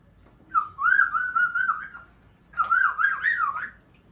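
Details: Pet African grey parrot trying to speak and making sounds: two loud, wavering whistled phrases, each about a second and a half long, bending up and down in pitch with a speech-like warble, separated by a short silence.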